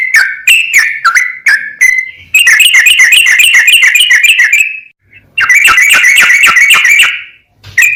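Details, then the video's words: Lively sooty-headed bulbul, full ropel: a few separate whistled notes, then two long, fast chattering trills of rapidly repeated notes, separated by a short pause. "MASTERAN BURUNG TRUCUKAN GACOR FULL ROPEL"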